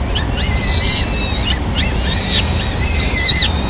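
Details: Peregrine falcons at a Madrid nest on 25 April 2016, the female feeding chicks a pigeon: a few fainter, thinner drawn-out calls, the last one rising and wavering, against steady low rumbling background noise.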